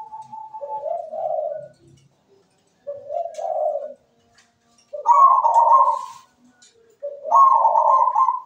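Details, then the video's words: Zebra dove (perkutut), a lively singer with a melodious voice, cooing from its perch: low vibrating notes rising into loud rolling trills, four phrases spaced by short pauses. "PERKUTUT GACOR SUARA MERDU"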